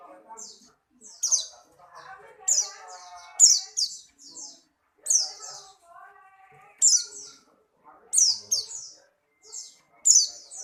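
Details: White-eye of the Buxtoni type, a caged bird in strong breeding condition, hopping about energetically: bursts of high, sharp, descending chirps come in clusters of two to four every second or so, over soft, low, muffled background sounds.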